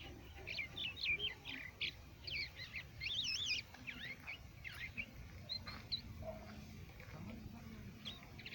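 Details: Crested lark singing in Quetta, Pakistan: a lively run of clear whistles, trills and warbled, wavering notes, high and fast for the first four seconds, then sparser phrases over a low outdoor hum.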